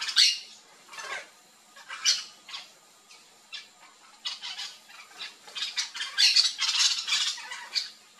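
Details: Yellow-chevroned Parakeets, a wild flock at backyard fruit in Brazil: irregular sharp, screechy calls spaced about a second apart, building into a busier overlapping chatter of shrill notes toward the end.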